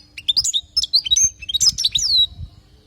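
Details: European goldfinch from Palestine, song recorded to teach young goldfinches to sing; a continuous fast run of bright, liquid twitters and tinkling notes, sweeping up and down, ending in a drawn-out descending whistle.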